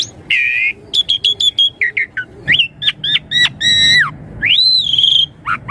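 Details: Varied Asian pied starling song played to draw replies from young birds: a buzzy opening note, a burst of sharp repeated clicks, short whistled notes, then a long rising-then-level harmonic whistle.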